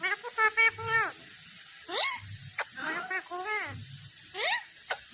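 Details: Talking parrot producing speech-like phrases with harmonic, wavering tones and sharp rising whistled notes, several short utterances separated by brief pauses.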